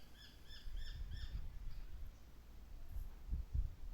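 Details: Male Japanese sparrowhawk giving a quick series of four high, clear downward-slurred piping notes in about one and a half seconds, followed by low rumbling wind noise.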